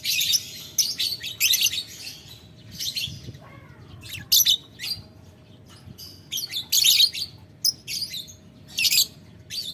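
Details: Lovebird calling a rival, ngetik ngekek style: separate bursts of shrill scratchy chatter with silences between, and a short rising whistled tone near the middle.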